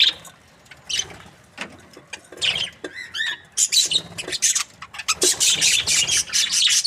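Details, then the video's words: Happy budgies chirp, starting sparse with scattered clicks and a few clear rising whistled notes, then building into loud, quick runs of scratchy chatter toward the end. "Happy budgies chirping sound"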